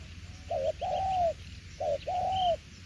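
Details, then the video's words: Two phrases of spotted dove cooing in the đồng tiểu liên style, each a short low note followed by a drawn-out, gently arched mellow coo, against faint background hiss. "Đồng tiểu liên nước chơi quá hay luôn ae ơi"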